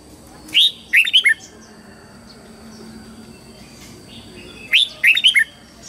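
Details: Two bright phrases from a red-whiskered bulbul's morning song, each a sharp upslurred whistle and three quick tumbling notes, separated by a quiet gap with faint distant chirps.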